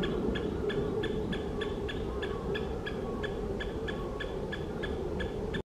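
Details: Great spotted woodpeckers in breeding season in Asahikawa, Hokkaido, April 2023, a male chasing a female; a rapid, uneven series of short, sharp calls, about three per second, over a steady low rumbling background.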